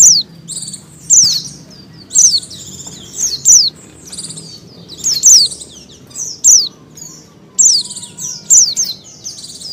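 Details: Oriental white-eye female in breeding condition calling to males: repeated high, downward-sliding notes mixed with busy overlapping chirps and twitters, as if several birds are calling together, with a low background hum.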